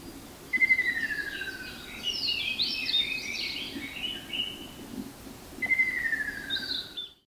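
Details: Ruddy kingfisher heard but not seen, Hiroshima, Japan, 28 May 2021, giving two long, descending rolling trills about five seconds apart, with other birds' chattering twitters between them.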